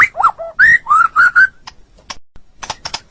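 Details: White-rumped shama, a caged songbird, giving a few clear whistled notes, some rising and some falling, then a scatter of short sharp clicks.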